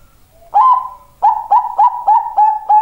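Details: A zebra dove of the Bangkok strain coos. A bright rising first note is followed by a quick, evenly spaced string of short staccato coos at a steady middle pitch.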